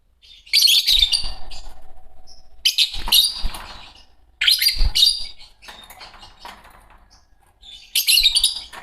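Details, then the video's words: Green Fischer's lovebird pair chirping: bursts of harsh, high, buzzy chatter in the upper range, each about half a second long, repeated every one to two seconds with quiet gaps between, plus faint low thumps. "Lovebird singing & chirping sounds -Green Fischer Pair -طيور الحب"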